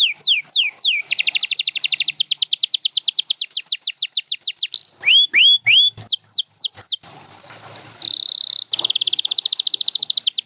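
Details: Champion canary singing, from Gloster and Spanish Timbrado birds for song training: long rapid rattling trill, chains of falling whistles, several rising whistles, a breathy pause, then another fast buzzy trill.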